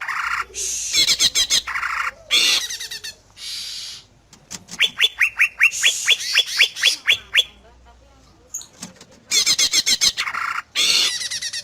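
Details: Greater green leafbird singing to make other leafbirds answer: loud varied song mixing harsh broadband bursts with a run of quick rising whistled notes repeated about twice a second, broken by short pauses.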